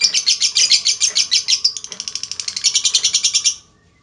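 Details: Lovebird giving a long chattering trill to lure other lovebirds into song, a rapid, rhythmic stream of harsh high pulses lasting about three and a half seconds, then it stops abruptly.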